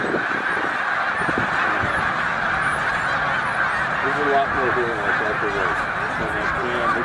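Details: Snow geese at Middle Creek wildlife refuge, a flock of some 100,000 on spring passage north: a continuous honking roar, and from the middle of the clip a near bird gives a run of quick, stepped, repeated yelps.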